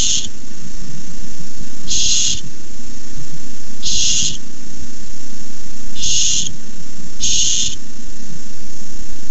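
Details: Barn owl begging at a nest on a live nest camera as a rat is delivered; harsh, hissing screeches, about half a second each, five in nine seconds at uneven gaps, over a constant low hum.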